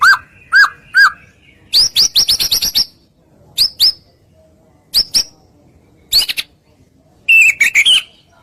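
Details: White-rumped shama song used as a lure to provoke other shamas into singing: three clear downslurred whistles, then a fast burst of sharp chips, scattered upslurred notes, and a closing buzzy rattling phrase.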